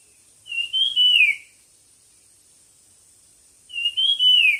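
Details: Bird singing for a song competition: two clear whistled phrases, each about one second, starting level, rising slightly, then slurring downward, separated by a pause of nearly three seconds, over a steady faint high hiss.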